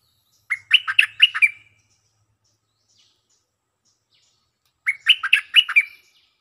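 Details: Caged stripe-throated bulbul singing as a lure: two identical lively phrases of about six fast, gurgling notes, a little over a second long and roughly four seconds apart, with clean, quiet surroundings.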